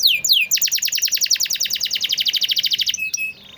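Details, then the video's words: Canary singing as a lure for birds that stay quiet: a few descending whistled sweeps, then a rapid, even pulsed trill for over two seconds, ending with short flat notes. "masteran burung kenari rajin bunyi cocok buat pancingan kenari susah bunyi/macet"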